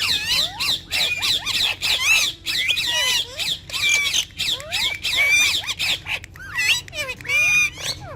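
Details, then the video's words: Urdu-speaking pet Rose-ringed parakeets talking and dancing with each other keep up a dense, shrill chatter of rapid squawks, bent whistles and rasping notes, overlapping with almost no pause. "Ringneck Parrots Talking And Dancing With Each Other"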